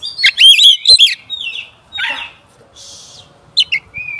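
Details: Oriental magpie-robin lure song meant to provoke other magpie-robins, given as brief bursts of loud, varied whistles and harsh rasping notes separated by short pauses.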